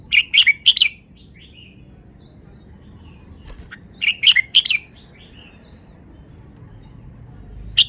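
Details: Red-whiskered bulbul singing two phrases of three to four lively whistled notes, a few soft twitters between them, and a single note at the end, with faint low hum.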